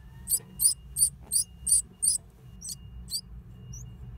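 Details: Great tit calls from a nest built in an old stove: six shrill, squeaky high-pitched bursts in quick even succession, then a few fainter, scattered squeaks over a low indoor hum.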